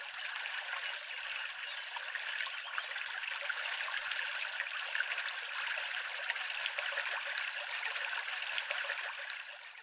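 Common Kingfisher giving shrill, high, piercing whistles in quick pairs and triplets every couple of seconds, over the steady rush of flowing water.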